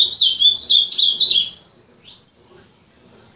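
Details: Kept ultramarine grosbeak (azulão) delivering a quick tumbling warble for about one and a half seconds, followed by a single short slurred note and near silence.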